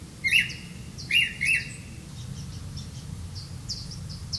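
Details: Grey-capped greenfinch bringing crickets to its young: two loud, twittering chirp bursts in the first second and a half, then only soft, distant high ticks over low background noise.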